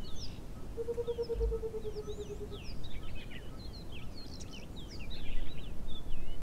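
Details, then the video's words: A Burchell's coucal gives one low bubbling run of fast hollow notes that slides gently downward for about two seconds. Busy higher chirps and twitters from other birds continue throughout over steady outdoor noise. "Burchell's Coucal / Vleiloerie"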